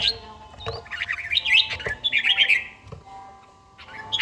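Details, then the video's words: A red-whiskered bulbul sings at dawn in daily practice, an older bird from Gia Lai; a dense, tumbling run of bubbly whistled notes lasts about two seconds, then a brief pause and another phrase. "chàomào HÓT SÁNG, LUYỆN CHIM HÓT HẰNG NGÀY"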